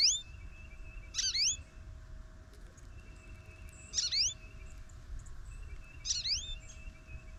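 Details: A talkative goldfinch visiting a feeder on a snowy morning gives short clusters of high, rising slurred chirps about every two and a half seconds, over a constant electrical hum and low rumble.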